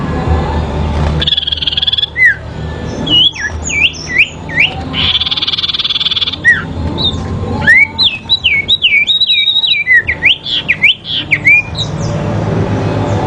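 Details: Duel of sooty-headed bulbul in a fight, song used for training: buzzy bursts alternating with sharp hooked whistles, building to a fast tumbling series of about a dozen overlapping whistled notes.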